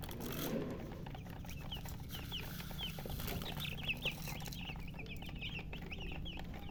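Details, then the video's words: Baby chickens, chicks thirsty for drinking water, giving rapid high peeps in quick, irregular series that grow busier after the first second and a half, over a steady low hum. "Murgi chicks Chirping sounds with thirst for drink water"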